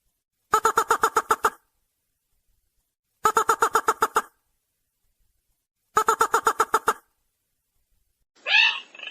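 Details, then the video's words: Ruddy-breasted crake call played as a trapping lure: three clipped bursts of quick, hard ticking notes, each about a second long, spaced evenly with silence between, then a brief higher squeal at the end. "Suara Pikat Burung Sintar Merah"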